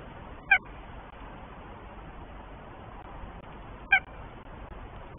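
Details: Northern goshawk pair at their nest in Tartu, Estonia, before egg laying, the male awaiting the first egg; two short, harmonic, clipped call notes about three seconds apart over a steady background hiss.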